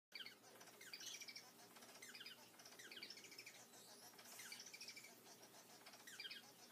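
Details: Male chocolate self society finch singing: quick bursts of high, scratchy twittering notes every second or so, with wing flutters and other finches chattering throughout.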